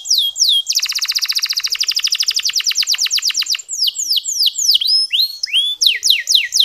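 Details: Canary song for stirring quiet male canaries into song: a couple of falling whistles, then a long fast trill that slows into spaced downward sweeps and ends with varied looping whistled notes.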